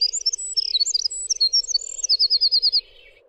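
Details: Winter wren song: a rapid tumbling run of very high, thin, sweet notes that ends in a fast, evenly pulsed trill lasting about three-quarters of a second, over a steady low hum.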